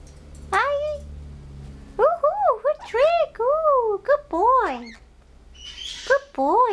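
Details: Chatty male pet blue-headed pionus, whose phrases include "How are you?" and "good morning": a run of throaty, arching speech-like syllables in quick succession, a short hoarse burst, then more wavering vocal notes.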